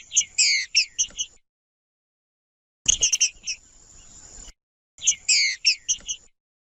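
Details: Green-winged saltator singing in macheando style, used to stir up other saltators: three short bursts of loud, rich, high notes separated by pauses, with a noisy crackling stretch around the middle burst.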